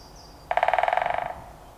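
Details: Loud drum roll from a great spotted woodpecker hammering a trunk, March 2025, woodland: a rapid, even burst of roughly seventeen woody strikes over about 0.8 seconds, loudest at the start and tapering off, with a thin high note just before.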